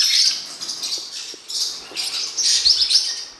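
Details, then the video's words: Short stretch of blue-winged parrotlet song for training purposes: soft, continuous high twittering with rapid chirps, about four per second. "CANTO DO FORPUS"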